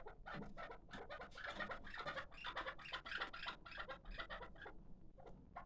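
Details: Six-month-old hybrid partridge kept as a calling bird: dense, overlapping chucking and chattering notes pour out almost without a break, thinning out at the close.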